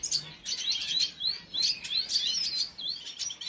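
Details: Red siskin on 2022.06.05 uttering clear, high, upslurred chirps in small clusters, roughly three per second, separated by short pauses against a quiet background.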